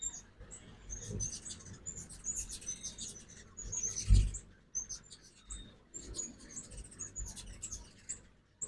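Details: At a morning feeder in Oxford, Mississippi, during the 2024 fall migration, ruby-throated hummingbirds keep up busy, high squeaky chatter over a strong low rumble, with one loud low thump midway.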